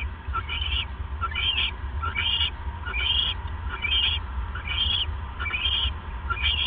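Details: Owls at 11:37 pm on 28 January 2015, with a male delivering a mouse to his mate. Regular, squeaky, rising chirps come about once per second above a droning low hum.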